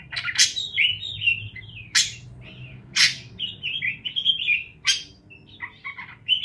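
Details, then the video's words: Parakeets chirping, used as a sound to encourage lonely parakeets to chirp: loud sharp chirps alternate with warbled, wavering notes, quick bursts about once a second and busy chatter in between, with a faint low hum underneath. "Parakeets Chirping Sounds"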